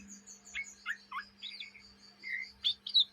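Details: Young Oriental magpie-robin in Indonesia, ngriwik chattering: sparse, spaced-out slurred whistles and thin high notes, ending in a few louder sharp chirps, against a low steady hum.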